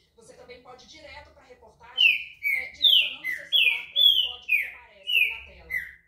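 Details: Green-winged saltator, called pixarro or trinca-ferro, giving a sustained run of about eight loud descending whistles at a steady pace, following faint background chatter from a television.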